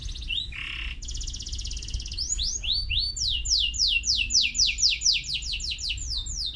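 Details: Canary song opening with a rapid buzzy trill and a lower rattling note. These give way to a long series of bright, sharply down-slurred whistles, repeated about four times a second. A low hum runs underneath.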